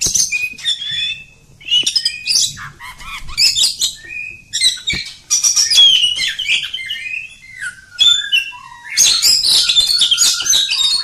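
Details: Oriental magpie-robin, village bird, singing loudly and at length: dense bursts of varied whistles, buzzy notes and mimic-like trills with brief pauses, falling slurred whistles near the end.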